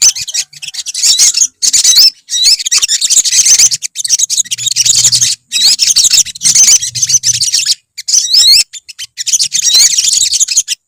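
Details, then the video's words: Colony of olive-backed sunbirds, recorded as a therapy sound: dense overlapping high, thin twittering song with quick sweeping whistles and trills, several birds singing at once in bursts separated by short pauses. "SOGON / SOGOK ONTONG / SOTONG SUARA TERAPI KOLONI"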